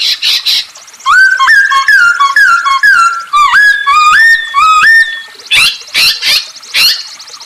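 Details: Masked laughingthrush in full, lively song used as a lure: a stream of stepped, rising whistled phrases, followed by several loud harsh bursts, against a background of high, busy chattering birds.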